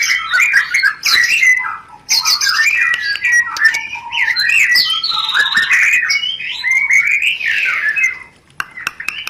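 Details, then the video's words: Continuous rencetan song of a white-rumped shama, a lure for stirring breeding condition: dense, fast, varied whistling and chattering with clicks, barely pausing over nine seconds. "Langsung Kawin, pancingan Suara Rencetan Ini Ampuh Membakar Birahi Murai Agar Cepat Produk"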